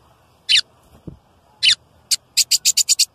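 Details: Loud male lined seedeater song meant to stimulate other birds: two short buzzy notes, a sharp tick, then a fast run of six evenly spaced high buzzy notes.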